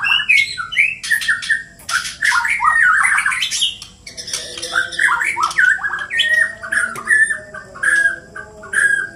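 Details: Two white-rumped shamas from Borneo, Indonesia, singing while fighting; loud, rapid, varied phrases of harsh squawks, sharp chirps and downward-slurred whistles follow one another almost without pause.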